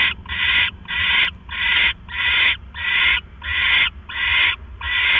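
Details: Owl at the nest in the evening, 18 October 2015, as its mate arrives with a rat. Eight steady, breathy screeches come at an even pace, each about half a second long, with short quiet gaps between them.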